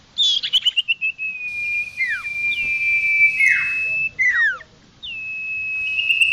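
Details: Common iora lure call for wild birds: a quick stuttering run of notes, then long level whistles broken by sharp, swooping falling notes.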